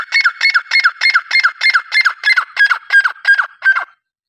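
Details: Grey francolin (teetr) calling. A steady series of about twelve harsh, grating notes comes roughly three per second, then stops, leaving silence.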